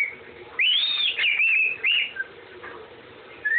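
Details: Parrot whistling part of the Andy Griffin tune: one long, clear whistle that arcs up then falls and levels off, followed by a short bent note and a brief rising whistle at the end, with quiet room noise between.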